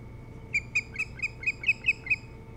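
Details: Osprey at a nest on Hog Island near Bremen, Maine, recorded by a nest camera on 07-03-2018 around 04:36 to 05:06: a run of eight sharp, high whistled chirps, evenly spaced and quick, over a faint steady background hum.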